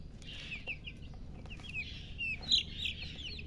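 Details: Chicken chicks chirping: overlapping high peeps and brief descending notes in irregular bursts, with a low hum underneath.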